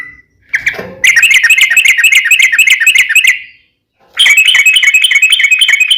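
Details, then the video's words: Long ropel of a yellow-vented bulbul, played as a lure to set other trucuk singing: a fast, bright, even trill of buzzy notes, broken by a short pause before another burst. "trucukan gacor ROPEL PANJANG buat pancingan trucukan agar bunyi JADIKAN burung trucuk gacor SEKETIKA"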